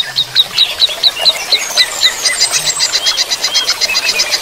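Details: Greater green leafbird in running-water therapy delivering a fast series of sharp, high chip notes, about five each second, which speed into an even, ringing rattle toward the end.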